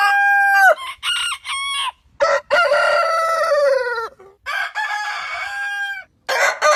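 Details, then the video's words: Roosters crowing in a series of overlapping crows, each with broken, wavering syllables and long held notes that slide slightly downward, with short silent breaks between. "Suara Ayam Berkokok Panjang Ayam Jantan Berkokok Rooster Crowing"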